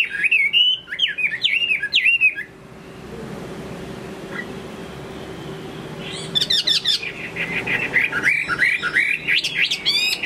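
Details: Late-afternoon Chinese hwamei song: a burst of looping, bouncing whistles, then a quiet pause of several seconds, then a second lively run of quick varied whistled phrases mixed with sharp clicks.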